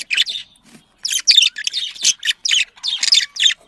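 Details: Pet budgerigars, sound used to encourage breeding: clipped, high chirps and short buzzy warbles in quick separate bursts with small pauses.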